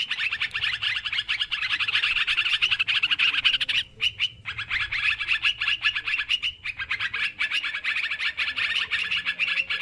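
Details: Sooty-headed bulbuls in a noisy lure recording: dense, overlapping bubbly chatter of many birds, continuous and busy, with two brief gaps near the fourth and sixth seconds.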